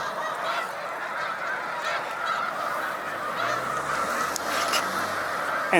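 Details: Snow Geese massed in large flocks on Cayuga Lake, New York, resting during spring migration on 20 March 2021, give a steady wall of overlapping honking calls, with a few sharper individual yelps standing out near the end.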